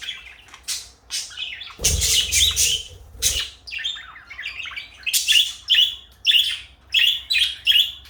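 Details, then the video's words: Blue and light yellow pet parakeets chirp: scattered high notes, a harsh noisy burst with low rumble early on, then a steady series of short bright chirps repeated about twice a second. "Beautiful parakeets"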